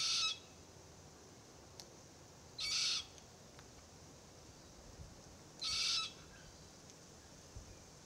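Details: Immature Forest Red-tailed Black Cockatoo (Calyptorhynchus banksii naso) calling incessantly from a Marri tree while its parents feed on green gumnuts nearby; three harsh, grating, drawn-out screeches spaced about three seconds apart, with quiet background.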